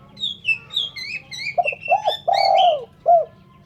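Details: Spotted dove, recorded as a clean call: after a string of high, sliding whistles from another bird, a low mellow phrase of short doubled coos, a long rolling coo and a brief final coo.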